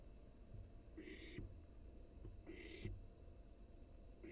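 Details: Barn owl chick in a nest box doing wing-flapping exercises, seen on a live camera. Short rasping hisses repeat about every one and a half seconds, along with soft scuffling thumps.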